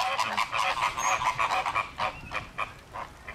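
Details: Caribbean and Greater Flamingos in a loud flock, with fights breaking out: a dense chorus of nasal, goose-like honks overlapping rapidly, several birds calling at once in a continuous clamour.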